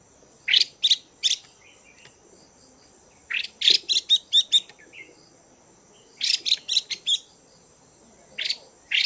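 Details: Female Chinese hwamei giving its chùi call, used to stimulate male birds: short bursts of harsh, buzzy, scratchy notes in quick runs of two to seven, separated by pauses of one to two seconds, with a steady faint high hiss behind.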